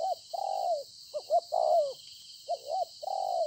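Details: Spotted dove used as a decoy, caught in the field, Konlong, 26 September 2020: loud mellow coos, long sliding notes alternating with brief double notes, against a steady high-pitched hiss.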